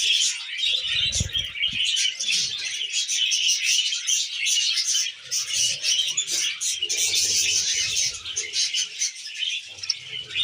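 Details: Tame budgies feeding on wheat germ together, filling the air with busy, overlapping high chirps and buzzy warbles, with soft low thumps and handling noises underneath.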